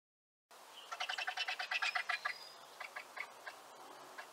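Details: Griffon vulture (Gyps fulvus) calling: after a brief silence comes a quick run of harsh, rasping cackles, roughly a dozen pulses in about a second and a half, then fainter, sparser chatter trailing off against a quiet background.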